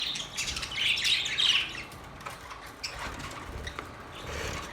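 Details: Budgerigars singing and chattering, a burst of loud scratchy chirps in the first two seconds, then quieter twittering with soft low thumps beneath.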